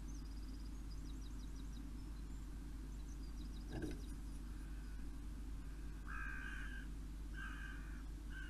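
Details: Crow on a July morning calling with several short, harsh caws in the later half, preceded by high, thin ticking notes from other birds, with a constant low rumble throughout.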